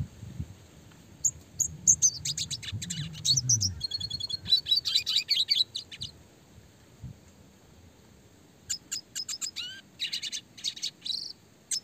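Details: Red siskin in full classic song, clear-voiced and fast, meant for training small songbirds: a dense run of twittering and buzzy trilled notes, a pause, then another rapid burst of high chirps and rising slurs.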